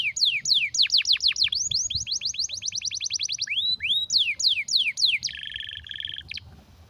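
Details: Strong canary song for training young birds: rapid repeated downward-sweeping whistles, about four per second, with arched slurred notes midway, then a dense buzzy trill and a short final note; no other sounds.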